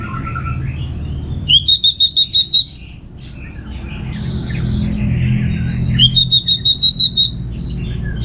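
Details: Ngeplong-style song of an orange-headed thrush used to prompt birds at home: two fast, evenly spaced runs of about ten sharp whistled notes, separated by softer warbling, over a low hum.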